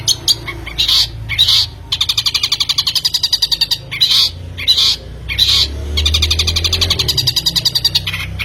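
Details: Long-tailed shrike recording used as a lure to trigger another bird to sing: harsh buzzy bursts alternate with long runs of rapid, evenly spaced ticking notes, with a low hum underneath.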